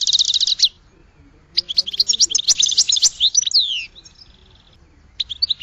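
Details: Goldfinch song: rapid twittering phrases high in pitch, a dense burst at the start, then a longer jumble of tinkling notes and descending slurred whistles, with short pauses between phrases.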